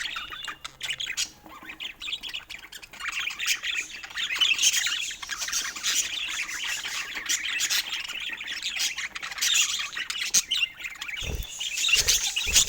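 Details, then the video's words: Pet budgerigars, described as in love, chirping and warbling continuously: dense, scratchy, high chatter with quick twittering notes and squawky bursts running throughout, a few louder clicks near the end. "Cute Budgies in Love 💕🐦 Sweet Chirping Sounds That Bring Joy"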